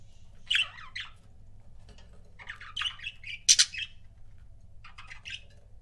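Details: Chirping from pet budgerigar couples: a few gravelly squawks and warbled slurred notes, one loud sharp chirp in the middle, then softer scratchy chatter.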